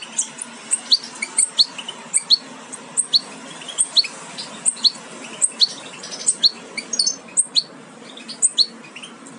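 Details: Nestling European goldfinches, a Major aminet carrier crossed with Parva Ancestral, close to fledging: thin, high, clipped chirps repeated about every half second over a faint steady background hiss.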